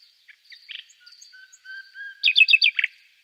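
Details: Common nightingale song: sparse thin whistles and soft clicks, then a long pure note swelling in pitch, ending in a rapid burst of five loud buzzy rising-falling notes and a lower closing chirp.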